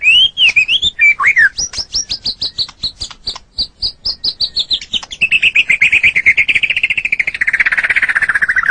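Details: Caged white-rumped shama (murai batu) singing a training song for pet songbirds: a few whistled swoops open, then a fast run of sharp repeated notes, shifting into a dense, lower buzzy trill rattling rapidly near the end.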